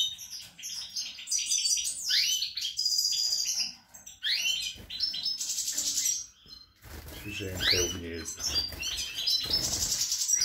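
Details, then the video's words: European goldfinch singing in late March 2020 while the female sits on the nest: fast, tinkling twitters, trills and buzzy high phrases in a dense rush, with lower noise in the second half. "Chardonneret, El jilguero, bird, cardellino pezzato GOLDFINCH SONG"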